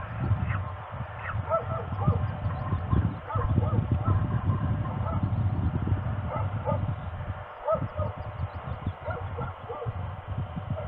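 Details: At Trzebież, Poland, on 17.04.22, a female peregrine falcon asks for a nest changeover with a long run of repeated harsh, whining call notes, some falling in pitch, under constant loud low rumbling wind or handling noise.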